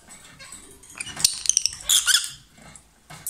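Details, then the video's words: Two lovebirds kissing and exchanging food keep up a busy stream of shrill, grating chatter and sharp squeaks over a low background hiss. "Gli inseparabili | 20minutes Love birds Sound"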